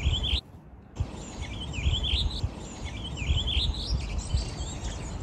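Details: Several wintering Redwings singing quiet warbling sub-song together on a morning in Greenwich Park, England; scratchy twisting phrases in a rapid jumble, with low rumbling background noise throughout.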